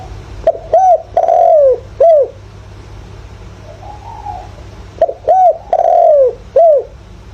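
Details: Decoy spotted dove with the 'giọng thổ' calling voice for luring wild doves: two loud coo phrases, short rounded notes framing a drawn falling coo, with a faint distant dove cooing between them over low hum.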